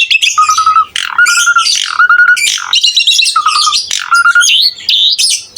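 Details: Asian pied starling in full masteran song: a level whistled note repeated about five times, each followed by harsh squawking chatter and squeals, ending with a rising wavering whistle.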